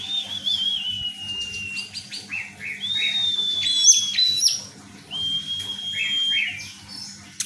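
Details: A champion contest orange-headed thrush sings a rich, varied run of long clear whistles broken by quick chirps and trills, over a faint low hum.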